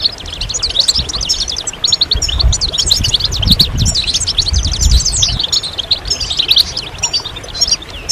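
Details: European goldfinches calling as a group, mating and readiness calls used to push silent males to sing. A thick stream of quick high chirps and slurred tinkling notes, over faint low-pitched background noise.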